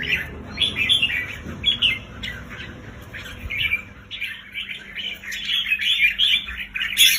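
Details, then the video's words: Red-whiskered bulbul song played to excite caged bulbuls: bright, chattering phrases in quick bursts, with a brief sharp note near the end and faint background hum. "เสียงนกจุกริก เปิดให้นกที่บ้านคึก"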